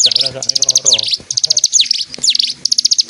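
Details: East Javanese mountain bird kept as a song tutor for stone magpies in birdsong competitions around Kediri Regency, East Java, Indonesia, singing and dancing: bursts of high, sharp chirps and quick descending slurred notes, with faint low voices beneath.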